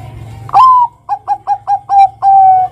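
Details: Song of a Bangkok-type zebra dove, meant to prompt untrained young doves to sing. A rising slurred opening note, then five quick staccato coos and a long level closing coo. Clear and loud, with little background.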